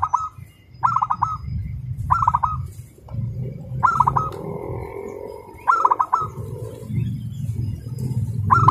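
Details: Local zebra dove, a competition prospect, in fast, tight song likened to a sewing machine: short rolling coo phrases roughly every second, against rumbling low background noise and faint other sounds.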